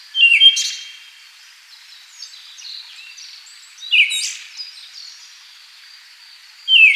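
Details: Siberian thrush calling in slow, separated bursts: a sharp falling note with a thin high tail at the start, another near the middle and a third at the end, with faint high chirps in between.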